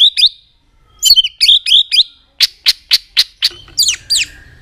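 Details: White-rumped shama in competitive singing to provoke rivals: sharp high chips and twisting whistles, then a series of loud evenly spaced clicking notes, followed by more high whistled flourishes.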